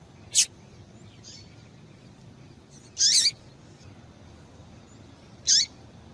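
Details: Three brief, high, thin chips from a female Double-collared Seedeater, spaced a couple of seconds apart, over a faint low hum; female calls used to stimulate males to sing.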